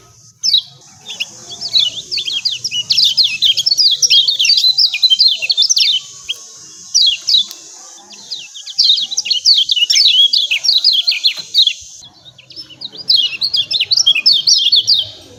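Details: Lemon-bellied white-eye chirping, used to provoke birds to sing: dense runs of sharp, high, downward-slurred chips in rapid series, with brief pauses, over a faint steady high hiss.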